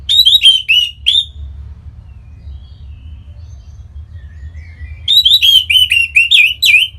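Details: Song of a captive orange-headed thrush in northern Bali, meant to trigger singing in other birds: fast strings of bright, slurred whistles at first, a quiet gap with soft subsong, then a longer lively burst of varied notes.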